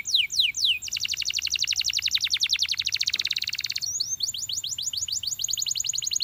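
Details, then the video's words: Singing champion canary delivering a long, very fast trill of sharp descending notes, preceded and followed by slower tours of sweeping whistles, bright and high-pitched throughout. "The Ultimate Canary Singing Video From a Champion"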